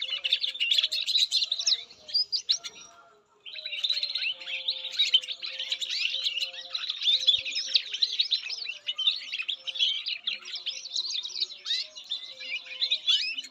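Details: Canary sings a long, rapid warbling stream of high chirps and trills, falls silent for about a second near the start, then resumes with a sustained chattering flow to the end.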